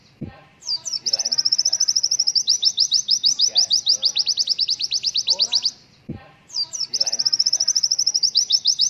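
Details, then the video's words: White-eye tutor song for training young birds: a long, very high, rapid twittering trill lasting about five seconds, then starting again after a brief pause. "MASTERAN PLECI KILLER!!!audio jernih"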